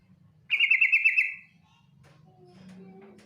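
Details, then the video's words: Yellow-vented bulbul female lure call: a single buzzy, rapidly pulsed trill of about one second, then faint thin whistled tones and low background hum. "TRUCUK BETINA NGETIR panggilan sadis,pancingan agar BUNYI jadikan burung trucukan BUNYI GACOR"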